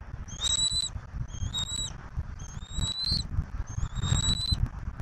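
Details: Bald eagles at a Southwest Florida nest, 15 March 2024, with both parents bringing turtles while the eaglet is fed: four thin, high whistled calls, each about half a second with a sliding tone, over a constant low rumble.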